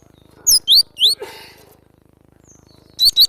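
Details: Cinereous tit (glatik batu), recorded as a training recording for cage birds: three loud high whistled slurs, a brief rustling noise, a quiet gap, then two quick rising whistles at the end.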